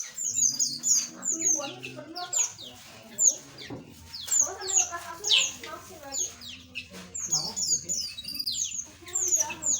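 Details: Aviary full of small birds, with a lively, continuous chorus of high, sharp twitters and descending whistles, some louder notes standing out against quieter chatter.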